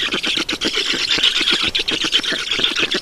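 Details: Estonian black storks at the nest at feeding time on 7 June 2019, afternoon: rough, grating calls pulsing about four times a second, continuous and noisy, with no other clear sounds.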